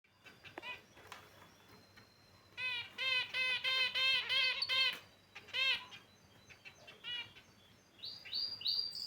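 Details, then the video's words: Caged finches chirping: a rapid run of nasal, buzzy, harmonic notes repeated quickly for about two seconds, a few scattered single chirps before and after, and higher rising notes near the end. "Beautiful Finch Birds Chirping Sound"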